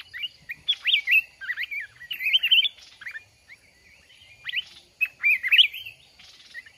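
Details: Red-whiskered bulbul during a trap-fighting contest, with a caged decoy bird kept one month, singing short bursts of bright, rolling whistled phrases with pauses of about a second between groups.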